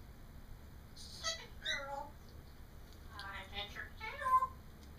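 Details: Pet parrot talking indoors: muffled, speech-like babbled phrases with vowel-like tones in two short bursts, softly mimicking human conversation over a low room hum.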